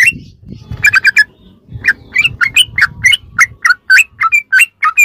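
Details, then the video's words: Ropelan song of a sooty-headed bulbul, a masteran recording for song filling: a quick cluster of notes, then a steady series of short rising and falling whistled phrases, with a low rumble early on. "ROPELAN BURUNG TRUCUK TERBAIK||PASS BUAT ISIAN¦¦MASTERAN TRUCUK"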